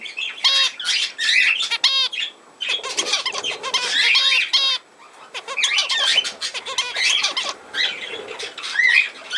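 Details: Chattering budgerigars, 17 November 2024, deliver bouts of scratchy warbles, buzzy squawks and ringing chirps separated by brief pauses, several birds overlapping in a lively high-pitched stream.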